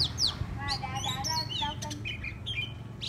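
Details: Decoy Oriental magpie-robin in caged song, giving a dense jumble of harmonic warbled notes, quick rising whistles and scratchy chirps over a constant low mechanical hum.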